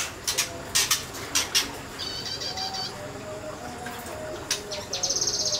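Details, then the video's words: Kinoi bird singing in semi-wild conditions: sharp repeated high notes and short buzzy bursts, a brief rapid stuttering trill near the end, over a busy background with low hum. "BURUNG KINOI NEMBAK NEMBAK DI SEMI ALAM"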